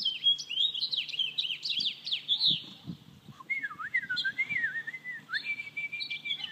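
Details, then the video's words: American robin giving a burst of fast, high, scratchy chirping notes, followed by a person's wavering, looping whistle that the bird is responding to. "American robin calling and responding to whistle."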